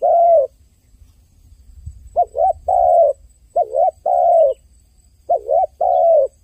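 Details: Dove crying with repeated two-part phrases: a quick rising-falling double note followed by a long, even, slightly falling coo, given three times after an opening long coo, over a faint low rumble.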